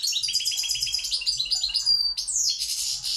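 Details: A Pirot goldfinch of the balcanica race delivers a fast run of sweet repeated chirps, a sharp upward-sliding whistle, then a thick buzzy trill, all high-pitched and steady in volume.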